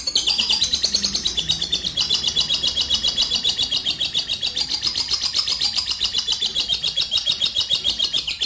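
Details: Lovebird's long ngekek trill, a lure for other birds, runs unbroken: high, buzzy, rapid chattering pulses at a steady rhythm, with a few faint lower sounds early on.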